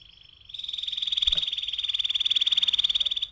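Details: Canary used as a lure to make birds sing and roll; a steady high whistled tone that breaks into a fast, even, pulsing roll sustained for nearly three seconds.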